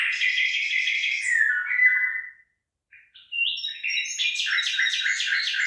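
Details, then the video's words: Bird singing over a rice field with rice forming ears: a rich, rapid warble that falls away, a short pause, then whistled notes building into another fast, trilling phrase. "ฟังเสียงนกร้อง เพราะมาก"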